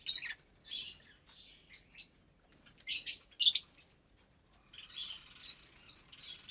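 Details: A feeding flock of about 25 aviary lovebirds, including parblue, euwing, opaline, lutino and albino types, recorded in January 2023. Shrill, scratchy calls arrive in short clusters separated by brief pauses, ending in dense chatter.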